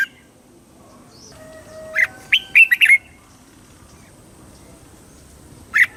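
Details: Red-whiskered bulbul from Thailand, a southern master-style song played to excite other birds and teach young birds: one quick burst of rich, warbled chirping notes, then a lone bright note near the end, with faint thin whistles.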